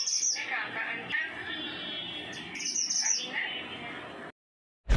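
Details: Pied triller starting to sing with short phrases: two brief high, sharp chirping bursts about two and a half seconds apart, set against constant noisy hiss, then a sudden silence and a final loud click.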